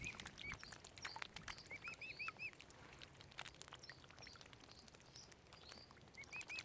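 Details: Fluffy mute swan cygnets at Oxford Island Nature Reserve on Lough Neagh, Ireland, make quiet, high arched peeps in short bursts of three to five, amid frequent ticking and knocking noises.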